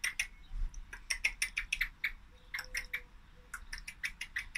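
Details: Continuous volley of sharp, ringing chink calls from a female common blackbird, steady and fast throughout, with a faint thin tone in the background midway.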